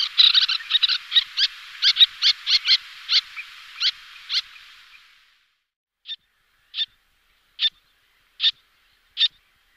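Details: Little terns (Sterna albifrons), two pairs calling and displaying in flight: sharp, high, grating calls, first a quick chattering run over faint hiss, then single calls under a second apart.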